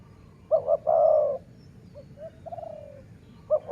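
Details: Dove cooing during decoy luring: two quick short notes then a long, low, slightly falling coo, followed by softer fainter coos and the pattern starting again.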